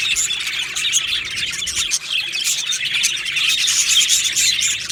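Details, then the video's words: Colony of Australian budgies in an aviary on 15 July 2025, loud unbroken chirping and twittering from many birds at once, with one short dip around the middle. "Beautiful Budgies Birds Chirping Sounds"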